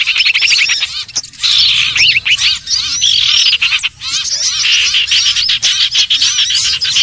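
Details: Trapping lure of common iora, called sirtu or cipoh: busy overlapping chirping and looping whistled notes, with a short quieter dip near the fourth second before the chatter resumes.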